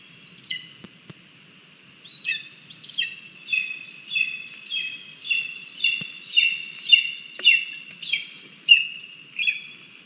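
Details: Agitated lesser spotted eagle nestling at feeding time on a live nest cam, 17 August 2022: after a short pause, loud insistent whistled calls with falling ends, repeated rapidly, almost twice a second, rising in intensity.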